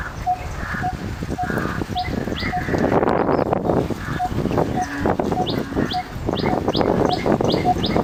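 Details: A coppersmith barbet (Psilopogon haemacephalus) calls, repeating a low, hollow 'tuk' about twice a second, with high, quick upslurred notes from another bird and a steady background rumble underneath.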